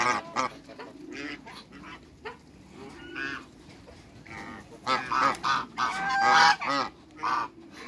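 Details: A pair of large African geese in a backyard waterbird setting, giving scattered honks that build into a louder burst of rapid nasal calls toward the end.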